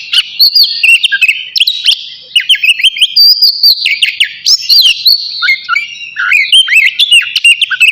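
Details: Navy-type oriental magpie-robin singing continuously ahead of a bath, a varied stream of high whistles, sharp upward flicks, twisting slurs and chattering notes repeated in quick succession.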